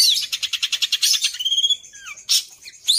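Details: Long-tailed shrike song with mimicked fills: rapid pulsed high chatter, then a long smooth whistle sliding down, a brief lower whistle, and scratchy high bursts.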